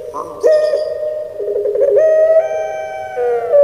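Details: Puter pelung Barbary dove kept at home, singing in the 'crying' style. It gives a continuous low coo that wavers, then steps up to a steady, sustained, slightly nasal tone that falls back at the end.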